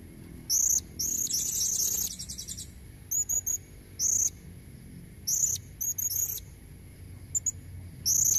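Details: Calls of a female blue-crowned hanging parrot meant to attract red-necked males: an opening flurry of rapid shrill twitters, then spaced short high chirps and doubled peeps.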